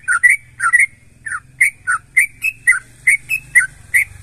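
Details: Energetic sooty-headed bulbul song, used to make other bulbuls respond: a string of bright, bubbly whistled notes, some doubled, coming about two to three per second over a low mechanical hum.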